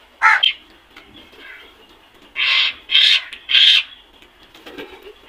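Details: Black crows in a flock give rough, hoarse caws: one at the start, then three loud grating calls close together near the middle, with faint calling between.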